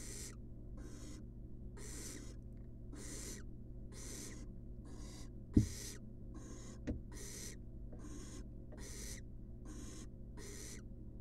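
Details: Young wild barn owl in a nest box hissing and screeching in a regular run of noisy bursts while receiving a rat, with two sharp thumps and a low background hum.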